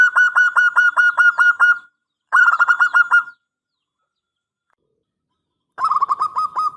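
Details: Loud local zebra dove song meant to provoke a reply: two rapid rattling coo phrases follow each other closely, then after a long silence a lower, throatier rolling phrase begins.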